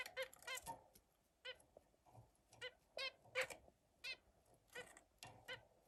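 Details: Zebra finch song made of quick, nasal, buzzy toots and squeaky notes, delivered in bursts of two to four with brief gaps, bright and harmonic-rich, over quiet indoor background noise.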